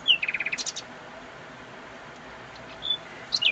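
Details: Nightingale at very close range delivers a fast, even trill of about eight bright, high notes followed by a couple of higher chips, then a long pause over background hiss before short, sharp whistled notes return.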